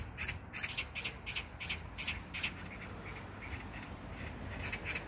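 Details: A magpie rattles harshly in Jangdumot park, Incheon, South Korea, June 19, 2022, with a string of loud raspy notes about three per second that fade slightly toward the end, over distant low hum.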